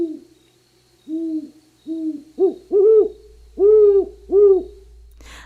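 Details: Great horned owl (Bubo virginianus) gives a series of seven deep, soft hoots, the first few quieter and the last four fuller and louder, in an otherwise quiet setting.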